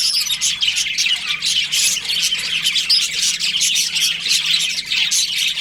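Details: Colony of budgies in breeding season, loud overlapping squawks and sharp chirps in a dense, pulsing chatter that swells and dips every second or so.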